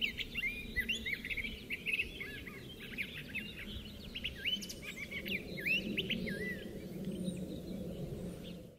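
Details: Neighborhood thrasher singing vigorously at sunset: a continuous, varied stream of quick slurred and whistled phrases, rising and falling notes tumbling together without pause, over a steady low background rumble.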